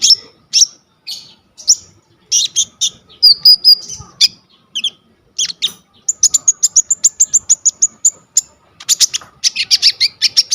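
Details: Coconut lorikeet, phone-recorded as a master song for sunbirds, giving spaced high squeaky notes, a whistled trill, then a fast even series of clipped high chirps repeated several times a second.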